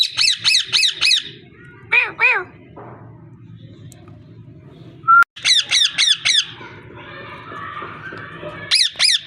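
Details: Parrot squawking in fast repeated bursts, harsh notes in runs of four or five, with a brief whistle midway and background murmur.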